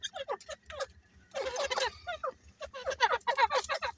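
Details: Calls from a breeding pair of grey francolins: clipped, descending raspy notes in quick runs, with a denser, noisier burst of overlapping sound in the middle before the rapid notes resume.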